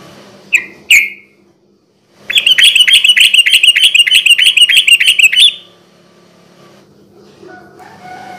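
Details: Sooty-headed bulbul (trucukan) in rapid-fire garuda ropel style, a night lure for raw birds: two short whistles, then a three-second machine-gun string of sharp, identical chirps, roughly six per second, ending abruptly.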